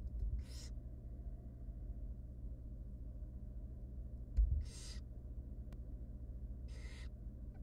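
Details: Three tiny wild barn owl nestlings being fed by their mother in a research nest box beg with harsh, breathy hissing screeches, three separate bursts spaced about three seconds apart above a constant low hum and a faint click.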